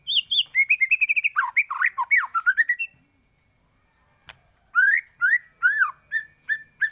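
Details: White-rumped shama singing a full varied song meant for tutoring other birds: fast repeated high chirps and trills, tumbling warbled notes, a brief click, then spaced rising and falling whistles.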